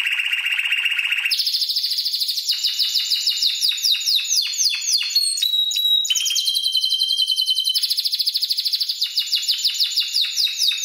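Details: Seven-month-old Spanish Timbrado canary, trained solely with recorded timbrado song, opens with a low buzzy roll, then a long run of quick falling notes, brief pure tones, and another fast roll.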